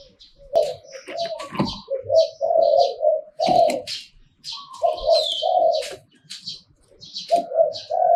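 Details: หลิ่วตัน-style song of a spotted dove: a steady series of full, low coos with short gaps. Small birds chirp constantly in the background.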